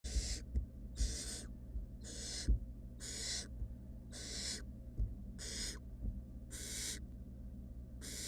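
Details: Three wild barn owl nestlings resting in a monitored nest box, giving harsh, breathy hissing screeches about once a second, eight bursts in a row over a steady low hum.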